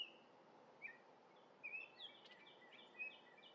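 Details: Orioles eating grape jelly in Minnesota give brief whistled and slurred notes, several rising or falling, spaced through a short stretch over constant background hiss.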